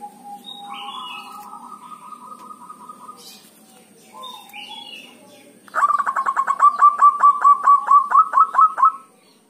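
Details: Local Javanese zebra dove giving dhuduk and kerot calls, used as a lure to prompt other doves to call. Soft, steady cooing tones, then a loud run of about fourteen rapid, clipped notes at a level pitch. Higher chirps from other birds sound in the background.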